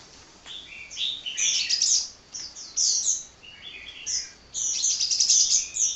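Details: High, tinny twittering song of a hummingbird that keeps singing without pause, delivered in bursts of fast squeaky notes separated by brief lulls.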